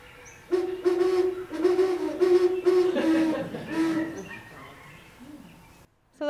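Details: Great horned owls, a resident, territorial pair, duet with the typical five-note hoot: deep, soft hoots in quick overlapping series, one voice slightly lower (males usually, not always, lower), ending with a brief click.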